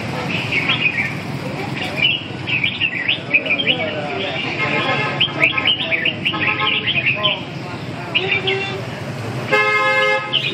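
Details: Red-whiskered bulbul song: bright, chirpy warbled phrases in quick, overlapping bursts from several birds, over murmuring voices and low background hum, ending in a loud steady harmonic tone.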